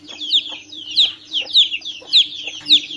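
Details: A chick calls with shrill, descending peeps spaced roughly every half second, slightly softer, backed by a faint steady drone.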